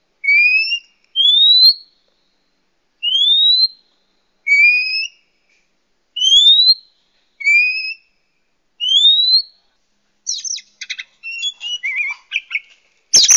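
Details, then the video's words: Lure call for wild Oriental magpie-robins: clear, rising whistled notes, often doubled, roughly every second for ten seconds, ending in a burst of scratchy, chattering notes. "SUARA PIKAT BURUNG KACER LIAR PALING AMPUH"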